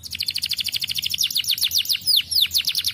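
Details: Canary song meant to encourage young birds to sing: a fast, dense trill of high chirping notes rolling on without pause, with a few louder downward-sweeping notes near the end.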